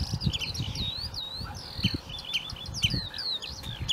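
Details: Breeding common redshank with chicks at an inland wetland in Lincolnshire gives busy, overlapping piping notes, short high whistles rising and falling in quick bursts, over a low rumble of wind.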